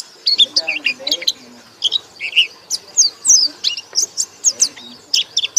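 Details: White-eye singing a loud ngekek song: high chirps and short twisting whistles in uneven bursts, with some lower chattering notes mixed in early on.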